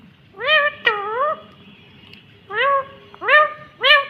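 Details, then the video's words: Talking green ringneck parrot producing four drawn-out, nasal, harmonic syllables with rising then falling pitch, somewhat meow-like, spaced irregularly over about four seconds, in a quiet indoor room. "Natural Sound of talking Ringneck green parrot"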